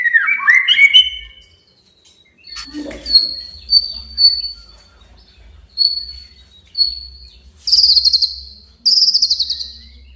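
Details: White-rumped shama, a male, singing to challenge a rival: varied phrase of tumbling whistled notes, then short clear whistles repeated about once a second, ending in two loud buzzy trilled bursts.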